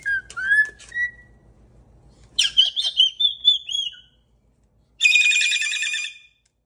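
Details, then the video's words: Pet cockatoo indoors whistling a short tune, wavering whistled notes followed by higher, rising phrases and a harsh, buzzy burst; light tapping in the background at the start. "What a Happy Little Tune!"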